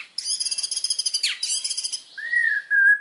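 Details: Indonesian white-rumped shama song: a fast, even, high rattling trill for nearly two seconds, followed by long sweet whistled notes.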